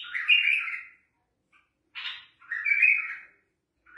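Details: Bulbul singing in the style locally called "full and alif tina", giving two warbled, fluty phrases about a second long, split by a short burst of harsher notes and brief silences.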